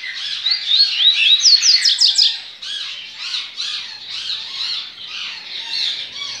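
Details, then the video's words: Double-collared seedeater singing in the Baiano style at a licensed captive breeding facility on 23 November 2019: quick sliding whistles and a burst of steep upslurred notes, followed by steady squeaky chatter from surrounding birds. "COLEIRO BAIANO"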